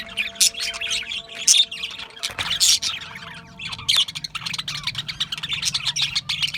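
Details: Budgerigar chirping from Australian budgies, bursts of rapid high tweets and squeaks about once a second, with a brief quieter gap mid-way, then the chatter resumes over faint low hum.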